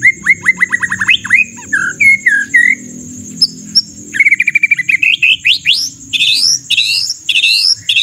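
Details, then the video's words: A white-rumped shama in full, coarse, forceful song, recorded as a training track for songbirds, gives fast rattling trills, loud whistled phrases and sharp rising notes over a steady high hiss and low hum; white-rumped shama. "MURAI BATU FULL ISIAN TEMBAKAN KASAR"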